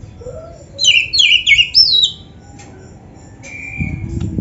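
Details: Oriental magpie-robin (kacer), recording used to rouse lazy caged birds; a short burst of sharp, high, stepped whistles and a falling slur, then a quiet stretch with a thin flat whistle.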